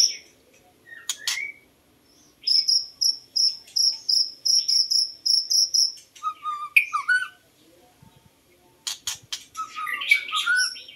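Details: White-rumped shama song used to lure birds: a series of about a dozen high clipped whistles repeated evenly twice a second, followed by lower slurred whistles and sharp clicks, then a scratchy warbled flourish.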